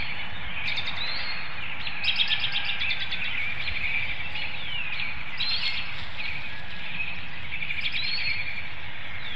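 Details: Incubating bald eagle pair at a webcam nest in Hanover, Pennsylvania, around 7 AM on 25 March 2019, vocalizing to prompt a nest exchange; several quick runs of high, stuttering staccato notes amid constant hiss and occasional thin whistled bird calls.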